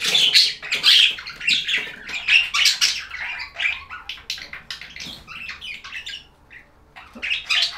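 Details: Budgerigars chatter continuously in lively, high twittering and warbled chirps, dense at first and thinning toward the end, with a short quiet pause before a final burst.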